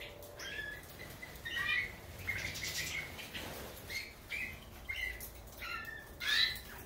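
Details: Goldfinch (major) producing brief chirping phrases at regular intervals, with wing-flutter rustling between notes and one clear upward whistle near the end.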